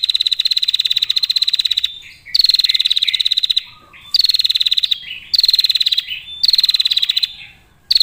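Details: Long, almost unbroken pulsed trilling from a female prinia, a lure sound. Six extended buzzy runs with only brief pauses between them.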